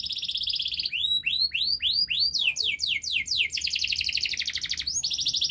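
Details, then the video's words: Canary delivering a long, fast, close-packed model song for training juvenile canaries: a buzzy trill, then a run of rising arched whistles, then rapid repeated notes and dense trills. "Kenari Gacor Panjang Speed Rapat Untuk Pancingan kenari Paud Agar Cepat Gacor"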